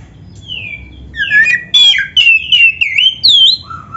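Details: Oriental magpie-robin masteran song used for training songbirds: a soft falling whistle, then loud, clear slurred whistles and chirps at a brisk pace, ending on a lower note.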